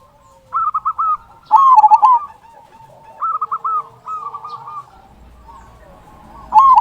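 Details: Zebra dove, local type, with a loud "kung" voice used to coax other zebra doves into song: short pulsed coo series, one louder undulating phrase near the start and another at the end.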